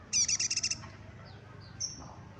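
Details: Yellow-bellied prinia, a local bird from Batam, giving a fast buzzy trill of about eight evenly spaced high notes lasting under a second, followed by a faint thin high whistle over low background rumble.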